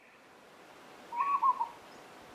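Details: Peaceful dove calling at Monarto Woodlands, South Australia, on 26 July 2020: a single short phrase of three mellow, cooing notes with a slight lilt, in quiet surroundings.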